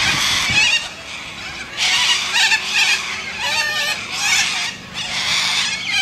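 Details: A group of Australian white cockatoos shrieks in raucous, buzzy bursts roughly every second or two, with harsh grinding screams swelling and fading as the birds call over one another.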